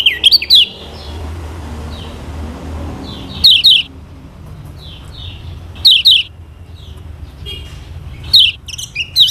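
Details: Lemon-bellied white-eye of Lombok, a recording used to encourage other birds to sing. Loud clipped double and triple chirps recur every two to three seconds, with soft thin notes between.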